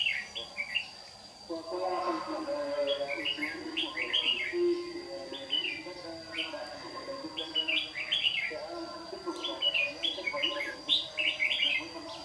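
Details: Caged white-cheeked Red-whiskered bulbul in a morning singing duel, used as a decoy to trap wild birds, Đồng Nai, Vietnam, June 2019; lively runs of chirped, whistled notes in repeated phrases, low talking in the background.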